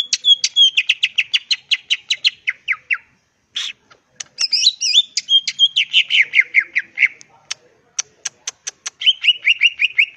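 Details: Cucak ijo, a green leafbird, in lively 'gacor ngentrok' song: long rapid runs of sharp, repeated descending chips, broken by short pauses and a tangled burst of varied whistles, then another fast chip series.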